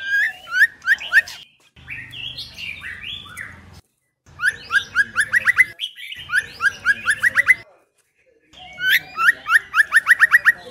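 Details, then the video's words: Female white-rumped shama, sound used to excite males: phrases of quick, sharp repeated notes speeding into rapid series, broken by a stretch of odd blocky, buzzy tones and short silences. "เสียงนกกางเขนดง หรือบินหลาดง ใหม่ล่าสุด 2022 คมชัด 100% นกบินหลาดง ตัวเมีย | Choè Lửa Mái Kích Trống"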